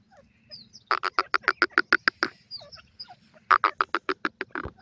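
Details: Francolin (teetar) chicks calling in loud, rapid, evenly spaced rasping pulses, two bursts of about a dozen notes each, with softer chirps between them and a faint low hum.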